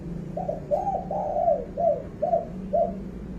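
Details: Spotted dove giving a loud, clear call: a series of low hollow coos, six short notes with a longer slurred middle note, over a steady low hum.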